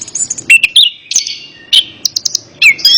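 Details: Orange-headed thrush singing, intended to prompt a reluctant bird to respond: sustained whistled notes mixed with sharp clicks and quick upward and downward slurs.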